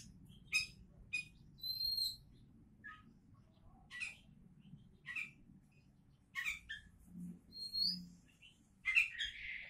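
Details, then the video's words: Oriental magpie-robin, billed as a contest hopeful, singing softer scattered phrases: sharp high chips, brief whistles and a thin high rising note, with a raspy ending burst and a low background hum. "Kacer Calon Juara"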